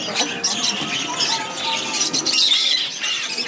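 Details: Baby black-headed caique, a hand-fed shop bird of about one and a half months, recorded 15 May 2011: harsh, raspy, high-pitched squealing that runs almost without a break, with faint speech in the background.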